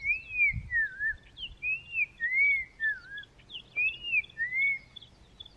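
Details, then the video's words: Black-crowned tchagra whistling in Kruger National Park, a bird that hides in low bushes; loud, pure slurred whistles rising and falling in a rolling sequence of about seven notes, with faint higher chirps behind. "Black-crowned Tchagra call / sound"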